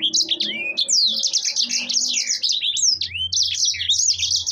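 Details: Long rolling 'ngeroll' run of a yellow-fronted canary, or sanger: a dense, nearly continuous chain of high trilled notes and looping whistles with hardly a break, the kind valued for its length.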